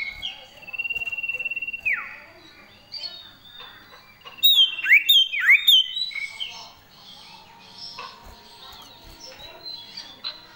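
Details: Energetic common iora song with sirtu fills: a held whistle ending in a steep downward slur, then a burst of bright, looping whistled phrases mid-clip, followed by scattered softer notes.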